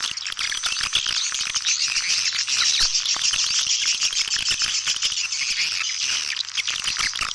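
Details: Call sound used to lure swiftlets: a continuous chorus of sharp, high chirps and fast ticking twitters, densely layered and unbroken throughout.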